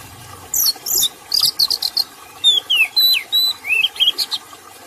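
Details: Oriental magpie-robin singing with trickling water behind it, meant to coax stressed or wild-caught birds back into song: rapid high scratchy chips first, then sweet falling and rising whistled slurs in quick succession.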